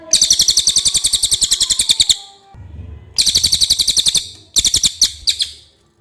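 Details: Clear common iora song for use as a masteran tutor recording: fast, harsh rattling trills of evenly spaced pulses, a two-second run, a short pause, then shorter bursts with low background hum.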